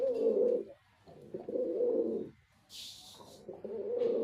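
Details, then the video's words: Male white pigeon cooing in three low, rolling phrases; a brief hissing rustle sounds between the second and third. "Pigeon🕊️ Sound Effect 🔊 || Male Pigeon🕊️ Super Performance👍 || White Pigeon🕊️"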